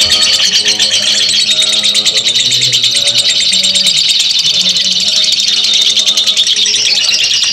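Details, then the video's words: Ngekek chatter from a lovebird, a long, rapid, high-pitched rattle of squeaky notes with no breaks, lower hum faint underneath. "simuasi lovebird ngekek panjang"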